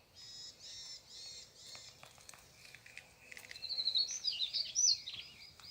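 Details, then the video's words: Birds singing in a morning garden: four evenly spaced buzzy high trills open, followed by scattered ticks and then a loud, rapid, tumbling twitter of high chirps over low background noise. "아침정원의 새소리. The sound of birds in the morning garden"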